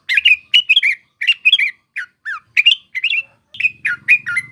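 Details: Sooty-headed bulbul, used as a lure for trapping, delivering chattering, gurgling phrases with some downward-slurred notes; a low buzzing hum joins at the end.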